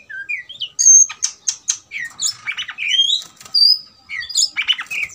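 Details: Oriental magpie-robin roused for combat, delivering varied clear whistles, sharp chips and scratchy rasping notes in quick succession, with some long pure tones rising and falling.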